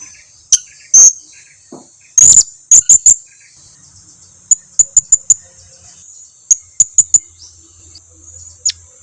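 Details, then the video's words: Lure call of the blue-crowned hanging parrot, meant to make quiet birds answer: scattered piercing high-pitched tsit notes, some single, some in rapid runs of four or five, with a faint low hum late on. "Suara pancingan serindit ini dijamin serindit lain yang jarang berbunyi pasti langsung nyahut"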